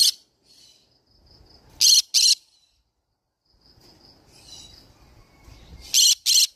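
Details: Green-cheeked conure parrot: one short screech, then two pairs of rasping, shrill squawks, each pair two quick blasts close together, over faint background noise.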